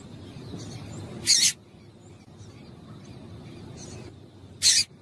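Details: Calls of a female double-collared seedeater, used to get males singing: two loud, abrupt high chips about three seconds apart, with faint softer high notes between them over a low background murmur.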